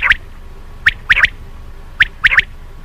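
Common quail giving its liquid, three-note 'wet-my-lips' phrase twice, each quick sharp triplet about a second apart, over faint background hum.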